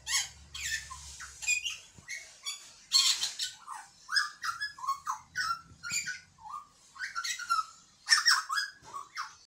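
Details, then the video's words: Singing butcherbird delivering rich, varied whistled notes interwoven with scratchy chatter and mimicry-like fragments in quick succession; a faint low hum sits beneath parts of the song. "Butcherbird Singing"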